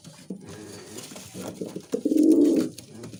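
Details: Musaldom pigeon, a domestic breed, cooing: several short, low, muffled coos, then one louder sustained humming coo of about half a second near the end, in a small enclosed space with faint background noise.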